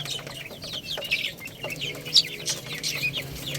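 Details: Little chicks feeding on rice, giving clear, shrill, downward-sliding peeps, several each second from more than one bird, with soft tapping behind.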